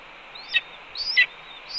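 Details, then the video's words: A red-tailed hawk at its nest calls while its mate eats a pigeon, after two voles were brought in, on an early May afternoon in 2013. Two quick calls, each a rising whistle ending in a sharp rasping burst. "RTH_Ez Brings 2 Voles, Eats Pigeon Calmly While BR Vocalizes"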